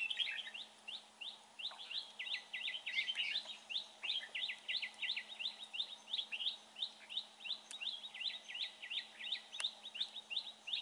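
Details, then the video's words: Red-whiskered bulbul during trapping, praised for its fine voice: a long run of short, bright, clipped chirps repeated almost three times a second, loud and steady throughout, over a faint constant hum. "Bẫy chào mào bộ đẹp. giọng hay."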